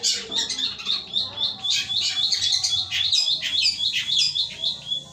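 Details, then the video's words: Pied fantail song, a caged bird's material for training singing birds: dense high chattering and squeaky phrases repeating almost twice a second, with other twittering voices possibly overlapping and a low hum underneath. "pentet materi gereja petir"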